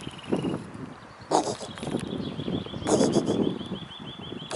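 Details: A pair of mute swans flies over the Neuer Teich at 7:05 on 27 March 2016, their wingbeats giving rhythmic, pulsing throbs in bursts over soft outdoor background and a faint high steady tone.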